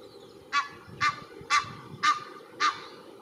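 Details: Egyptian goose family resting with a gosling in a park at Cestas, France, spring 2023; five loud, harsh honks spaced about half a second apart, each a short nasal blast, over a constant low rumble.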